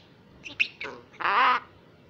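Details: Rescued young female common myna in Israel, a wild bird now learning to speak Hebrew: a few short squeaky notes, then a loud, rough, nasal squawk lasting about a third of a second.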